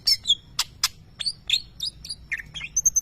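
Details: Greater green leafbird, a competition champion, with lovebird-imitating song: sharp broadband clicks, high slurred whistles and short squeaky notes, ending on three very high thin peeps.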